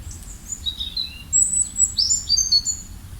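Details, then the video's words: Small birds chirping: thin, very high sweeping notes and short twittering phrases in quick succession, over a low steady background rumble. "Relaxing Birds Chirping sound"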